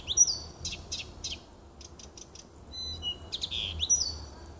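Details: Nightingale in a small wood by a home, 30 June 2015: a bright whistle, a few spaced clicks, a quiet gap, then pure level whistles and a rich swooping phrase.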